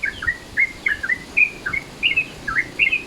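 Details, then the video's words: Lure recording of a sooty-headed bulbul's midday-mode call: a quick series of short, sweet whistled notes, each with a little rise or fall, given in irregular pairs and singles over soft hiss. "SUARA TRUCUKAN MODE SIANG"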